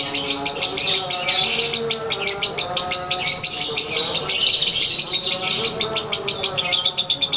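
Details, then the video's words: A caged lovebird of the konslet style, sunbathing, rattles off a sustained ngekek: rapid, harsh, maraca-like chirps at a steady fast beat, lasting the whole stretch, with soft low tones behind. "SANGAT JELAS!! Durasi Volume Gaya Suara ASLI Harian LB WISANGGENI"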